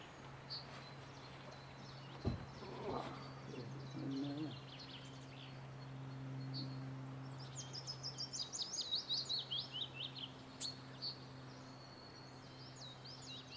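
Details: Birds singing during a quiet, relaxing time on Cannock Chase: a faint high warbling phrase with rapid chirps and trills, over a steady low hum and a few dull knocks.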